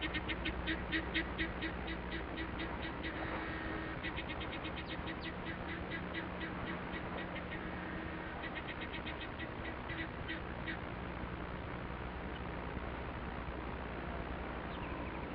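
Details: A male helmeted guineafowl in Namaqualand, southwest Africa, in a group among spring flowers near the end of the bloom, gives a harsh, rapid cackling alarm in repeated bursts, signalling an intruder.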